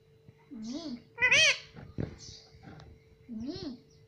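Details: Talking parrot kept as a pet, imitating "mummy": a few short, rising-falling, voice-like syllables. A louder burst comes near the start and a sharp knock in the middle, with a steady faint hum beneath.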